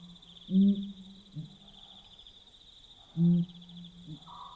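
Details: A Pel's fishing owl pair calls at night in Botswana. Two loud, deep booming hoots, each followed by a softer low note, sound over a continuous high-pitched insect chorus.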